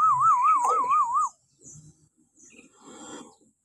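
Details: Shrill morning call of a common hill myna, used to coax captive mynas into calling: a loud wavering whistle that rises and falls rapidly, followed by faint rough notes.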